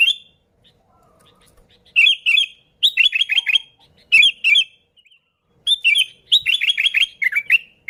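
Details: Sooty-headed bulbul song used as a lure to attract bulbuls: bursts of bubbly, warbling notes around the upper-middle pitch, each phrase under a second, repeated in groups with short silent gaps between.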